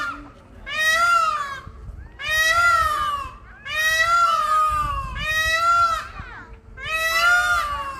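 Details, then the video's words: Peacocks calling loudly near noisy children: five harsh, harmonic-rich wailing calls, each about a second long, repeated every one and a half seconds with faint low background rumble. "Peacocks and kids are competing in making noise"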